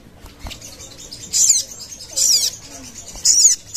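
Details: Sogon call used as a lure to draw in birds: three short bursts of very high, thin, buzzy twittering notes, each about a quarter second long, separated by brief quiet gaps.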